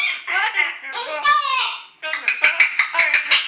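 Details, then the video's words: Yellow-naped amazon kept indoors, practising singing a pop song as dogs protest; drawn-out nasal squawking notes followed by a run of quick, clipped repeated syllables, loud and close. "Yellow-Naped Amazon Parrot Singing 奧迪練唱「小蘋果」"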